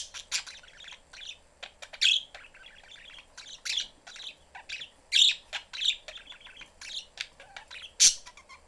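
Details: Pet parakeets, a mother, father and young one, in a cage whose door stands open; loud sharp chirps and squeaky squawks in irregular bursts over a quiet background, with clicks between calls.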